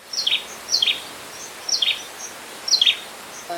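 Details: A Collared Kingfisher in Singapore gives sharp, high, paired notes that step downward, repeated about once a second over faint background hiss; a voice starts at the end.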